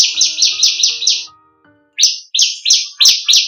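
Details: Bar-winged prinia (ciblek kristal) song variation for training songbirds: a fast, dense run of buzzy rasping notes, a brief pause, then more harsh broad chips, over faint steady low tones.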